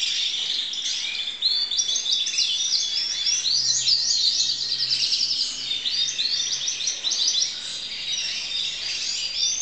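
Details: A 2012 student crested canary in full song, delivering lively sequences of quick rising-and-falling chirps in repeated groups, sustained and bright over nearly ten seconds.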